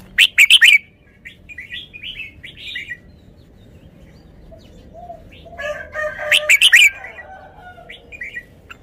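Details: Red-whiskered bulbul repeating its song: a loud four-note burst, a run of chirped phrases, a second loud four-note burst, then more soft chirps.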